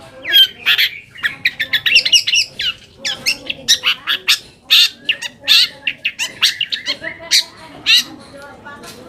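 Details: Long-tailed shrike lure song for provoking rival shrikes to answer: rapid, uneven sequence of grating squawks, sharp ticks and thin whistled fragments, busy and continuous for several seconds.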